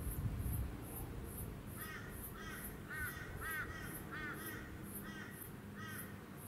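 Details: Male Eastern Koel, or Stormbird, filmed on the Sunshine Coast, Queensland, in February 2020, giving a fast run of about eight downslurred, mid-pitched notes in quick succession over a pulsing high buzz and low rumble.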